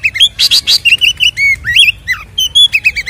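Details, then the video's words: White-rumped shama in full song, used to provoke captive birds: rapid series of ringing whistled notes, repeated upslurs and downslurs with short chattering rattles, dense and continuous for three seconds. "SUARA BURUNG Kacer gacor isian NGEPLONG TARUNG ini paling AMPUH buat PANCINGAN KACER agar EMOSI"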